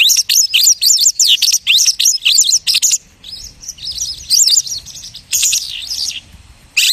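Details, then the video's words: Lark imitating the songs of other birds: bursts of rapid, high looping whistles and chirps, sung in phrases about half a second long with short gaps, then a quieter warbling stretch and another loud run. "The lark imitates the singing of hundreds of birds."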